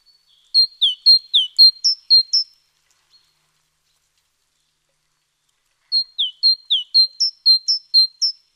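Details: Great tit singing on 29 October 2017: two bursts of clear, high, two-note phrases repeated rapidly, about eight notes per burst, separated by roughly three seconds of silence; no other sounds.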